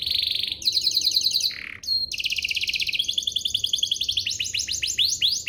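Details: Canary singing to prompt other canaries to answer: rapid high trills broken by a brief lower buzz, then long chattering rolls that end in quick descending swept notes.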